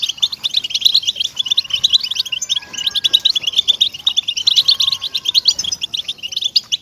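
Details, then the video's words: {'caption': 'European goldfinch song aimed at motivating caged goldfinches: two surges of fast, glittering twitter and buzzy trills separated by a softer stretch, with faint steady whistles behind.'} "ESTIMULADOR DE JILGUEROS"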